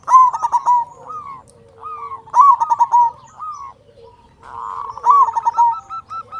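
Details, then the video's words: Loud local zebra dove song, used to excite other doves into singing: three bursts of rapid, stuttering coos, each followed by softer coos from companion doves. "Perkutut Lokal Gacor Suara Besar Pancingan Burung Perkutut Agar Cepat Bunyi"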